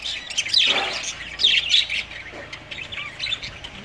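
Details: Household sun conures being friendly with a cockatiel give two loud rasping screeches in quick succession, followed by softer scratchy chatter.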